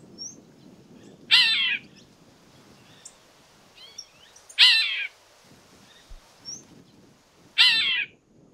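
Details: Golden-winged cacique recorded in the wild in Paraná, Brazil, giving loud, harsh, crackling bursts about every three seconds over steady low background noise.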